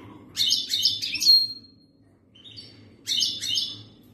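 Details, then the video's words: Algerian European goldfinch in khaloui style, ready to mate: harsh, buzzy, tinkling twitter phrases of three or four quick notes, a brief pause, then another scratchy twittering burst. "تغريد الحسون جاهز ليتزاوج chont chardonneret"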